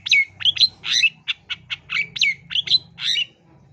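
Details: Energetic long-tailed shrike song meant to coax young birds into singing: a run of loud slurred whistles and short harsh chips, varied in pitch, over a steady low electrical hum.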